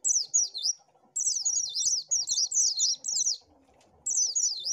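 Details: Lure recording of an Oriental white-eye: a short high twitter, a pause, then a long run of rapid, tinkling, up-and-down whistled notes, ending in another brief burst.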